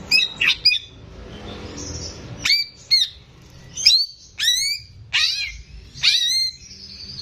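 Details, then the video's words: Greater green leafbird kept in a cage, singing to prompt untrained birds: a series of sharp, steeply descending whistled sweeps, spaced about half a second to a second apart, after a few short chirps. "CUCAK IJO GACOR || PAS BUAT PANCINGAN BURUNG BAHAN"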